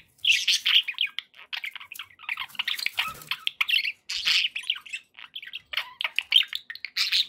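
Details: Happy pet budgerigars in loud, nearly continuous chatter of squeaky chirps, buzzy trills and harsh little squawks, tumbling quickly one after another.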